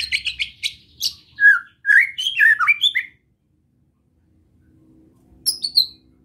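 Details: White-rumped shama in relaxed besetan song meant to rouse other shamas: clustered high chips and twisting whistled notes for three seconds, then near silence with faint hum before a final high phrase.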